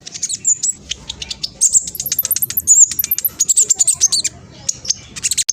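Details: Black sunbird with speckled plumage, kept as a fast, noisy lure bird, pours out a continuous stream of very high chips and brief twittering whistles.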